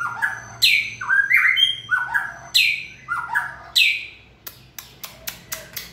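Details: White-rumped shama in peak form, 2020 season, delivering short whistled phrases about once a second, each opening with a high burst, followed by a series of sharp, dry clicks.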